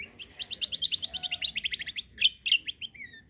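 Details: Cucak kombo (kecial kombo) singing in full gacor style with tembakan and besetan phrases, meant to prompt other birds to sing: a rapid train of high, bright chirps about five per second, then sharper, louder notes and a short falling trill.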